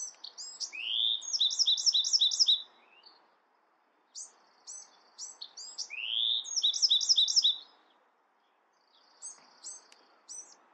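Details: Bewick's wren repeating its song twice: a few high introductory chips, a rising slurred whistle, then a rapid even trill of repeated notes, each phrase lasting about two and a half seconds with short gaps between.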